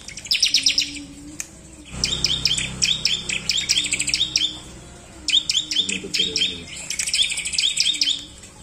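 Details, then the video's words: Bar-winged prinia singing lure: brisk bursts of high, sharp, repeated chirps, first a short volley, then a long run, a pause, and two more rapid runs, over a steady low background hum. "CIBLEK Gacor!! Pancingan Ampuh Ciblek Malas malasan"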